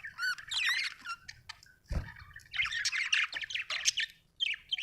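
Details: Budgie warbling with rising and falling whistled notes and dense scratchy chatter, interrupted by a brief low thump near the middle.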